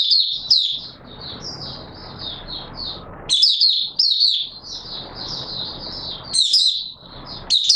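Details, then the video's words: Oriental white-eye, 24 March 2022, giving a steady stream of high, slurred twittering with occasional louder sharp bursts, over a persistent low hiss. "Mata Puteh Raja Video 1 buka sing"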